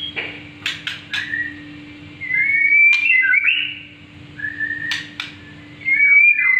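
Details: Young Black-winged myna practising its song: clicks and brief chirps, then drawn-out wavering whistles and a twisting slurred phrase, with a constant low electrical hum behind.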